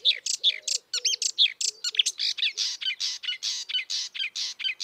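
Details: Free-living marsh warbler in full song, a rapid and varied torrent of high chirps, trills and harsh scratchy notes repeated several times per second for about five seconds.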